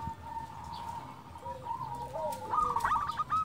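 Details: A local zebra dove, its song used as a lure to provoke other doves to answer, gives soft, fast, stuttering coos that quicken into a bright burst near the end, over a faint steady tone and light hiss.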